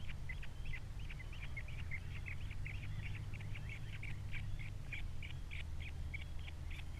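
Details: Osprey at the Captiva nest, three chicks present, 21.02.2022: quieter, continuous chattering run of short whistled chirps and slurred notes, with a low steady hum underneath.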